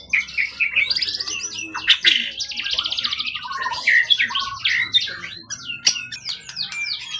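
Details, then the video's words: Wild-origin competition songbird with a tail over 20 cm, long kept and calm, singing in top form: a rich, fast medley of whistles, trills and buzzy chatter, changing phrases constantly with sharp clicks between. "Burung event ori hutan ekor 20cm up lg on banget"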